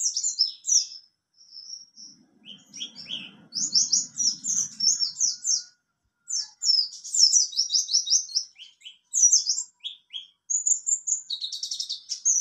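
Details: Mountain white-eye performing ngalas and nembak song: long stretches of fast, high, jumbled twittering and trilled notes broken by short silences, with a brief low rustle early on.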